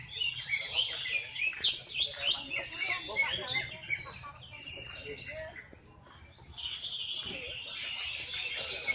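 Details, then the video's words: Javan bush lark singing in the ngendang style: a dense, rapid run of high chirps, twittering and short buzzy trills with varied notes, briefly quieter around the middle before resuming. "Suara burung branjangan ngendang,brajangan gacor"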